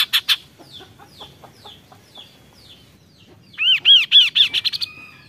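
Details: Kaso-kaso bird giving a loud, showy burst of song: a run of quick downslurred whistles, then a loud rapid string of ringing arched notes ending in a short trill, with a quiet background.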